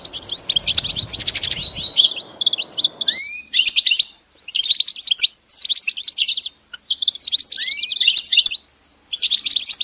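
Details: Pet goldfinch song lesson: energetic, high-pitched twittering bursts separated by short silences, some phrases ending in upward-sweeping whistles, with faint low background noise during the first three seconds.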